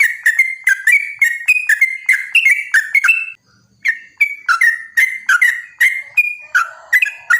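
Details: Chattering lure song of a yellow-vented bulbul meant to draw replies from other bulbuls; crisp clicking attacks lead into short liquid whistles, repeated rapidly, with a brief silent pause near the middle before the phrases resume.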